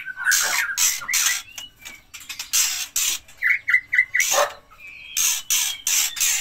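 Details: Protective white-rumped shama pair from Gayo Lues, Leuser mountains, Aceh, feeding chicks. Includes a run of four quick identical whistled notes, a longer level whistle, and repeated loud harsh rustling bursts between them.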